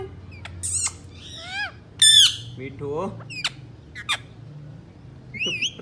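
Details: Indian ringneck parakeets, three pet parrots said to talk, mix harsh descending squawks, a loud shriek and lower warbling, voice-like sounds, ending in high wavering chirps against a faint room hum.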